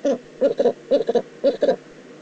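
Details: Eurasian eagle-owl, Eifel, 9 September 2014. Short nasal notes come mostly in quick pairs, repeated about every half second, against a quiet background.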